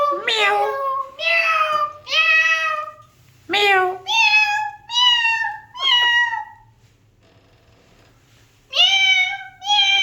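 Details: Alexandrine parakeet mimicking speech indoors, repeating "hello" and imitated cat meows in a run of harmonic, nasal phrases, each about a second long, separated by short gaps, with a quiet pause before two final calls.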